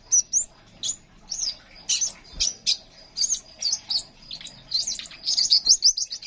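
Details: Crimson sunbird in lively full song, kept as a master recording to lure young songbirds and prompt silent ones to sing; high, thin chirps and sharp twittering notes come in quick bursts about twice a second, ending in a rapid trill.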